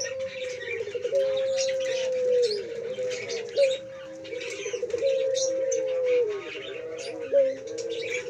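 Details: Male puter pelung dove in full voice gives long, drawn-out, throaty coos that waver slightly in pitch, while other small birds chirp busily in the background.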